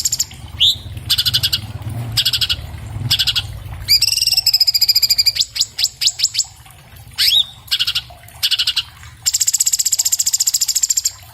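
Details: Orange-bellied leafbird (cucak cungkok) song recorded on an iPhone 7 Plus, used as a master recording for training cage birds: fast high chattering trills, rising whistled slurs and a sustained buzzy rattle, clear and dense.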